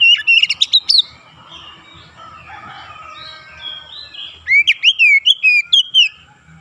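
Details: Oriental magpie-robin singing 'ngerol nembak' style: a short run of piercing whistles, a lull with faint soft chatter, then a lively string of about eight slurred, up-and-down whistled notes.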